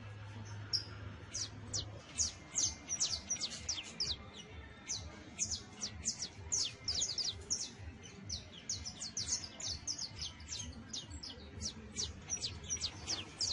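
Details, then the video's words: Young Saffron finch singing its earliest songs with trills and harsh chatter: long, fast sequence of high piercing chips and downslurs, about two to three per second, over a faint low hum. "PICHON DE CANARIO CRIOLLO SOLTANDO SUS PRIMEROS CANTOS, TRINES, CHARRASQUEANDO"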